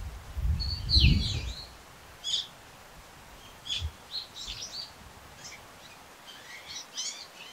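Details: Brown-eared bulbul giving frequent calls: a loud harsh squeal followed by scattered short sharp notes at irregular intervals, with a low thump early on.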